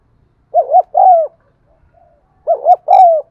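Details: Spotted dove cooing to prompt caged birds: two phrases, each a fast double hoot followed by a prolonged, softly falling coo, in a quiet background.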